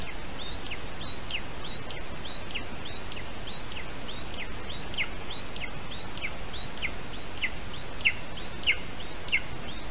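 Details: Lesser spotted eagle nest in a Latvian spruce, 3 August 2019 at 8:21 AM, male arriving with a small bird. A long run of thin, hooked high yelps about twice per second, growing stronger toward the end over heavy hiss.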